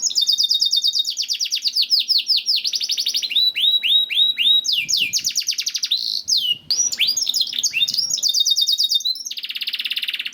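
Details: Canary song recorded for training other canaries: long continuous sequence of rapid high trills and swooping whistled notes, with brief harsh buzzy passages and a dense buzzing trill near the end.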